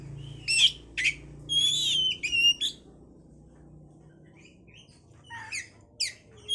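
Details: Oriental magpie-robin song used to trigger breeding condition: quick whistled phrases and buzzy notes in a lively run, then a quiet gap before scattered thin chirps, with a low hum underneath.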